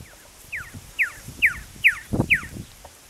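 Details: Male red-lored whistler recorded near Cobar, Central West New South Wales, on 18 December 2016, giving five clear, down-slurred whistled notes spaced about half a second apart, with a low rumbling thump partway through.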